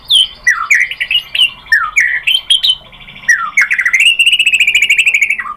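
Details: White-rumped shama used as a lure to provoke singing: varied slurred whistled notes and chips, ending in a long sustained trilling whistle that falls at the end.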